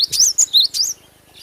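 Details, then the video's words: Cinereous tit in lively natural song: a short run of four or five thin, high whistles, a lower rising slur between sharper top notes, ending abruptly into quiet. "GLATIK BATU GACOR FULL SUARA ASLI ALAM"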